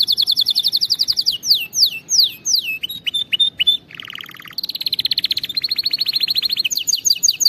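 A canary sings in fast rolling trills, slurred downward notes and high buzzy phrases, changing tour every second or so; no other sounds.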